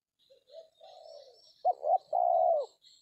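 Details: Spotted dove (tekukur) cooing during a trapping session with a decoy in an oil palm plantation; soft low notes build into two short accented coos and a long drawn-out coo, faint high chirps in the background.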